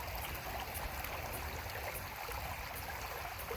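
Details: Quiet, continuous trickling and rushing of flowing water.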